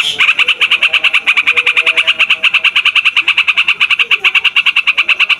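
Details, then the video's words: Non-stop rolling song of a yellow-vented bulbul, played to lure wild birds and to get young or group-kept birds singing: a fast, even stream of bright chattering notes, about three per second. "TRUCUKAN RIBUT BUAT PIKAT, MASTERAN DAN PANCINGAN TRUCUKAN PAUD DAN OMBYOKAN"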